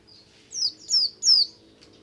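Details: Brief snatch of Buxtomi oriental white-eye ngalas song, intended to stimulate other white-eyes: three bright, high, downward-sliding whistles in quick succession.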